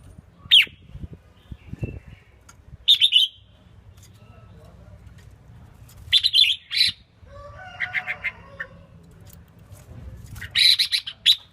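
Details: Female red-whiskered bulbul singing to stimulate males: short, sharp chirped phrases come in bursts every few seconds, with a softer warbled phrase between them over a low steady hum.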